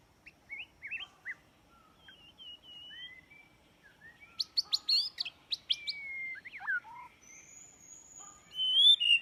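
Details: White-rumped shama song used as a trapping lure: varied whistled phrases, short rising and falling notes, a burst of sharp upslurred notes in the middle, then long clear whistles, with faint background hum.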